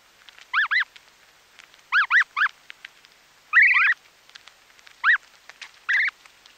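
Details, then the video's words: Feeding snow goose chicks, recorded close, repeat high bowed peeps in twos and threes, one buzzy trilled note among them, roughly every second, while grass is pulled with soft ripping clicks. "Snow Goose Calls / Snow Goose. Calls CU From Chicks Feeding, Sounds Of Grass Being Pulled Out."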